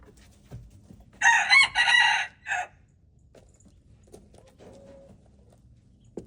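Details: Red junglefowl recorded on February 13, 2025, among chickens at play: one loud, harsh, segmented crow of about a second and a half with a short trailing note, then faint clucks and soft taps against a quiet background.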